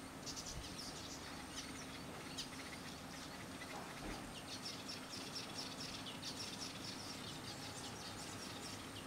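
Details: Eastern golden weaver recorded on Zanzibar, Tanzania: a busy stream of dry, buzzy chattering notes runs through the whole recording, with several birds seemingly calling over steady background hiss and a faint constant high tone.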